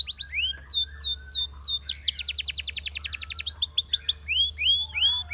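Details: Belgian canary singing: looping whistled sweeps, then a fast rhythmic run of sharp high notes and a close of rising-falling slurred whistles.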